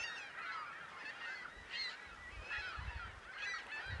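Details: Hundreds of gulls feeding on dying alewives at Hawkins Bay, Lake Champlain, on 14 April 2015, call together in a dense, overlapping chorus of harsh, nasal squawks and yelps, with low rumbling noise underneath.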